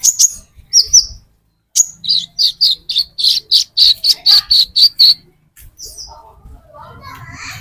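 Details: Olive-backed sunbird, known locally as metallic konin and played as a lure for green konin, gives a steady series of high, clipped notes, about four per second, after a few opening chirps. A faint low hum is underneath.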